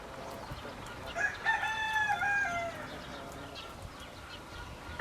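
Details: Rooster crows once, a slightly falling harmonic call of about a second and a half, somewhat distant, with scattered clucks and background noise around it.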